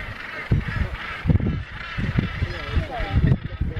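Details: Northern Gannets at the RSPB Bempton Cliffs colony, Yorkshire, on 27 June 2015, give harsh, low, grating croaks in short bursts roughly every second, over a steady hiss of colony noise and wind.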